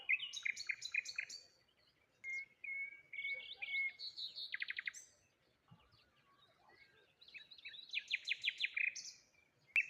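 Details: Several birds singing cheerfully one morning at a waterside with a lone tree: rapid stuttering trills, a steady whistled note, a dense buzzy burst, then quick descending chirp series after a short pause.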